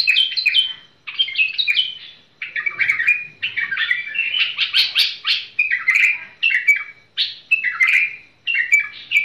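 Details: Tamed bulbul giving short, varied, liquid warbling phrases in quick succession, some buzzier and harsher, with short pauses between bursts.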